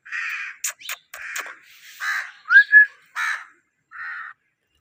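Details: Parrot chattering in a quick mix of raspy syllables and sharp clicks, with a bright, upward-sliding whistle in the middle and a final short grating note.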